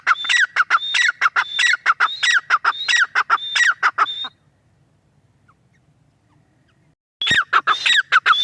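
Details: Female grey francolin calls in a quick run of ringing, scratchy phrases with a sharp whistled top note, about six in four seconds. Silence follows before the calling starts again near the end.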